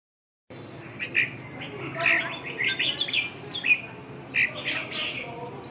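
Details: Red-whiskered bulbul giving short, bright warbled phrases and chirpy notes in scattered bursts, some slurred upward, separated by brief pauses over a low background hum.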